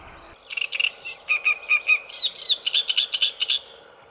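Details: A Great Reed Warbler singing from reeds and a tree growing in the water by a lake in Italy gives loud, harsh, chattering phrases of repeated grating notes, about four per second, shifting between lower churrs and higher squeaky notes.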